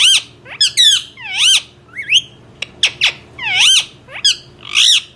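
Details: Indian ringneck parrot in a small room calling in a rapid string of bright, ringing squawks and sharp clicks, each note bending up and down, nearly continuous over five seconds.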